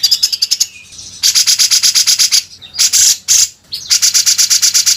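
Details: Grey-cheeked Bulbul, master audio for training songbirds: quick chirps, then long runs of harsh buzzy rasps repeated about three times a second, with brief pauses and a couple of drawn-out scratchy notes.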